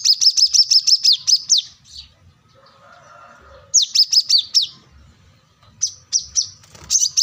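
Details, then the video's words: Plain-throated sunbird in full voice seeking an opponent: bursts of rapid, high, down-slurred chips, separated by quiet gaps with faint murmuring, then shorter clipped phrases. "kolibri kelapa | wiceh | manggar | korlap gacor mencari lawan"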